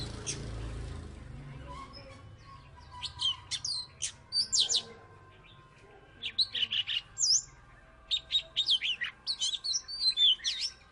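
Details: Former third-place champion Oriental magpie-robin from Salatiga in vigorous song, with quick sharp chips and short whistled notes in rapid clusters after a quieter opening with low rumble.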